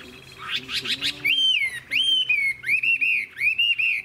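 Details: Old wild-caught Chinese hwamei: a few buzzy rising notes, then clear drawn-out whistles, each arching down and repeated roughly every half second, with a low steady hum behind.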